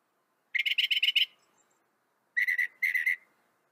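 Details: Northern mockingbird giving a quick stuttering run of six to seven bright notes, then after a pause two shorter clusters of three or four notes each, in clear quiet surroundings.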